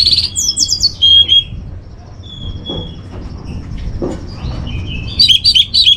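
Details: Orange-headed thrush (anis merah) master song for training caged birds, from northern Bali: clear whistled phrases with sliding, warbled notes, a pause with softer thin tones, then a rapid burst of varied chirpy notes; low hum beneath.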